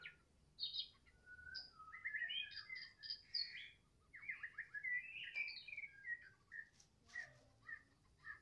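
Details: Afternoon song of a Medan White-rumped shama: a rich, fast medley of varied whistles, chirps and short trills at mid to high pitch, delivered in dense phrases with brief pauses, over soft background hiss.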